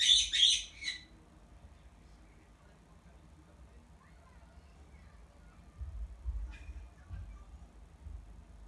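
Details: Pet black-headed caique giving a contact call to summon its owner, who is washing its cage: a loud, harsh, shrill burst of screeches, then a faint squawk later, over low rumbling household noise.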